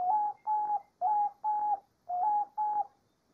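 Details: Diamond dove singing in nature, six soft hooting coos delivered in pairs, each pair opening with a slightly lower, upward-sliding note followed by a level one.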